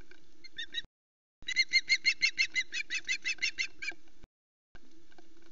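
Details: Female osprey announcing her arrival on the Loch Arkaig nest. A brief opening few chirps, then a loud steady string of about fifteen shrill, harmonic-rich whistled yelps, with silent breaks and a faint hum.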